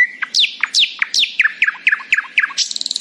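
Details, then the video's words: Common nightingale singing in the morning repeats a loud, falling whistled phrase about eight times at a quick, steady pace, then ends on a dry, rapid rattle. "A happy nightingale singing in the morning"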